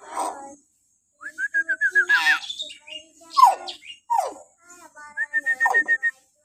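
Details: Shrill morning calls of a common hill myna, recorded to coax captive mynas into calling: quick repeated whistled notes, a harsh burst, downward-sliding whistles, then another series of even pips.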